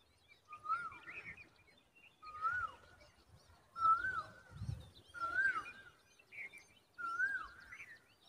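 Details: Common babbler babies hidden in a dense tree give harsh, slurred mid-pitched notes in five bursts roughly every one and a half seconds, each note bending downward, with faint chirping behind and quiet outdoor noise.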